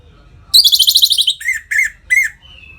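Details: Captive orange-headed thrush singing in the gacor ngeplong style, used to bring other birds into breeding condition: a rapid buzzy high trill, then three loud downslurred whistled notes and a thin fading whistle, in a quiet room.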